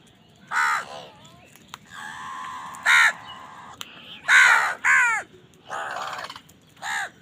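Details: Crows eating and fighting over food; about seven harsh, nasal caws in separate bursts, some short and clipped, others longer and drawn out, with a steady low background hum between calls.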